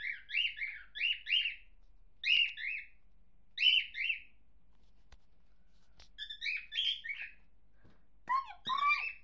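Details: Pet cockatiel that repeats sounds it hears, kept indoors: short chirpy whistled phrases in clusters of two or three notes, with pauses between groups and a slightly lower, wavering phrase at the end.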